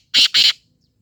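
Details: Black francolin giving two loud, harsh, grating notes in quick succession, the second slightly longer, then silence.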